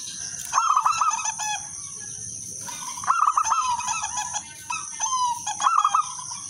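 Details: Local wild-type zebra dove singing steadily as a lure to get other zebra doves to sing, with a crystal-clear, melodious rhythm: three bursts of rapid stuttering mid-pitched coos, each about a second long. A constant high electronic-like hum runs underneath.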